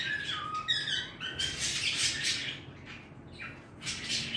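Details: Softer singing by a pet bird: descending whistled notes followed by hissy, broadband bursts and a few rising phrases, somewhat quieter than the surrounding room noise.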